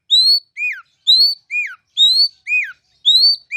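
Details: Oriental magpie-robin ngeplong song used as a lure for other kacer: a bright rising whistle followed by a lower downslurred note, the pair repeated about once a second, clean and loud.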